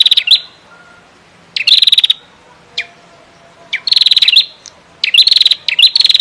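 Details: Tutor recording of a persistently singing female rufescent prinia, nebak style, for contest birds: scattered sharp chips alternating with quick mechanical rattles of evenly spaced ticks, with quiet gaps of about a second.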